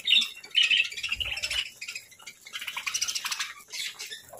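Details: Parakeets kept as pets, chattering during a morning meal of fruit, seeds and grains; a few sharp high chirps open, followed by a long scratchy, squawking chatter that rises and falls almost continuously.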